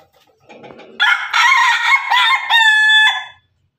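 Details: Pelung and Ketawa laughing chickens heard together; after a soft low rustle, a strong rooster crow starts abruptly and runs in several joined segments, ending on a long, level, clear note before stopping.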